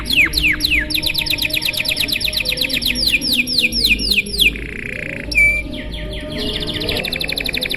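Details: Canary singing a long, showy song meant to prompt other canaries to sing: quick series of descending whistled notes, a short buzzy roll, a sharp upslurred whistle, then further fast trilled notes.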